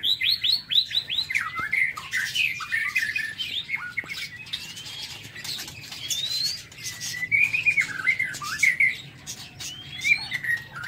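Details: White-rumped shama singing in an aviary in the morning: opens with a rapid run of five falling whistled notes, then varied warbled and slurred phrases, with clicks and fluttering from the cage throughout.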